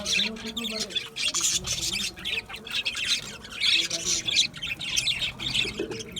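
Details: Steady chatter from budgerigars kept in an aviary: an almost continuous wash of high, grating chirps and warbles, rising and falling in loudness without pause.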